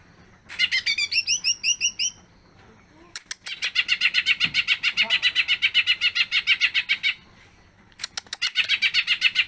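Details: Greater green leafbird singing vigorously, showing varied fills over a long duration: an opening of quick rising whistled slurs, then long trains of rapid buzzy notes repeated about four per second, with brief pauses.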